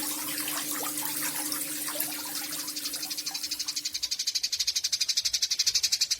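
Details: Eurasian tree sparrow recorded in Yogyakarta, Indonesia, on 29 October 2022 as a song-training recording of the long 'nyecret panjang' chatter; scattered soft noises and a steady low hum give way after three seconds to a rapid, buzzy, fast-pulsed rattle that grows louder.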